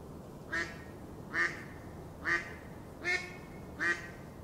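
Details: Mallard duck giving five short, nasal, raspy quacks, each about a quarter second long, spaced roughly a second apart over a quiet background.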